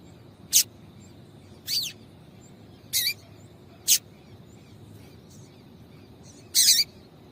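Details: Female yellow-bellied seedeater calling to stir the male: six high, sharp notes at uneven intervals, some slightly buzzy or falling, the last one longer, over a quiet steady background.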